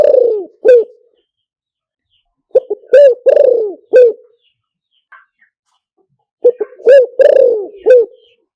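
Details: Decoy calls of a spotted dove, used to lure birds: hoarse, low cooing phrases of quick stuttered notes and an extended downward croo. They are spaced several seconds apart in clean silence.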